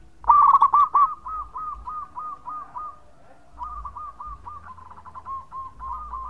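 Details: Zebra dove of local stock, singing eagerly in a long song meant to lure others: one loud rippling phrase of cooing notes, then a long, softer series of evenly repeated coos, about three per second.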